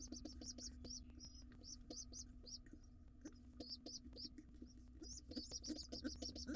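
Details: Nestling pigeon, wild, late to breakfast beside its father in a nest box: irregular high squeaks, some doubled, spaced unevenly and growing busier toward the end, over a low humming background.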